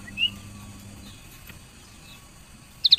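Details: A female lemon-bellied white-eye's chirping, used to prompt males to sing: one thin, high chirp, then after a pause a quick cluster of three sharp chirps, over a faint low hum.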